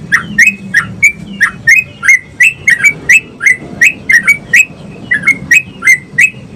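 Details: Yellow-vented Bulbul singing a long 'ropel' style song, used as a tutor recording to make other bulbuls sing readily; a rapid, loud run of about twenty short, bright chirped notes, roughly three per second, over faint low background hum.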